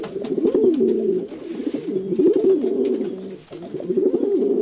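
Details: Several domestic pigeons cooing in low, throaty, overlapping bubbling notes with a brief pause near the end; the sound is close and roomy, as if indoors.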